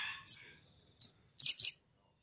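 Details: Sooty-headed bulbul singing in the morning, a lure meant to set other bulbuls singing: a high chirp trailing into a thin sustained whistle, a second shorter whistled note, then two quick buzzy, rattling notes close together.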